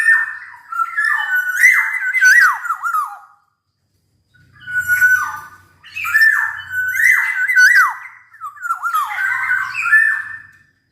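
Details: Black-naped oriole, described as singing actively, giving loud fluty whistled phrases around mid pitch with swooping slurred notes, delivered in three bursts separated by short pauses; a faint low hum underneath, indoors.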